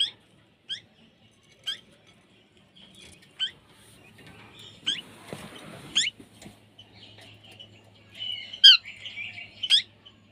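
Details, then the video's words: Parrot giving short, sharp upward-sweeping squeaks spaced about a second apart, then a brief burst of harsher chattering near the end, over a quiet low hum. "Parrot sound"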